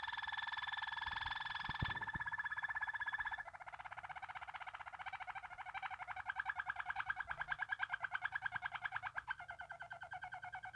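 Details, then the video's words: Caged Waterslager canary, a Belgian-bred song canary prized for a soft, deep, water-like song: steady whistled tones at first, then a long fast rolling trill of rapid pulses in a small room. "water selagar canary"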